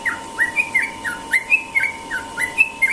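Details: Sooty-headed bulbul singing in the morning in the ropel style: quick, repeated short whistled notes, alternating higher and lower, with a steady electrical hum in the background.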